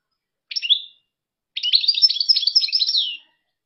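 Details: European goldfinch delivers a short falling twitter, then after a second's pause a sustained, fast-paced phrase of bright, jingling and slightly buzzy notes lasting under two seconds, in otherwise clean silence.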